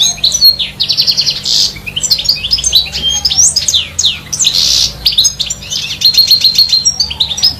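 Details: A European goldfinch singing in trees gives a fast, tinkling jumble of high twitters, liquid trills and buzzy notes, running almost without pause.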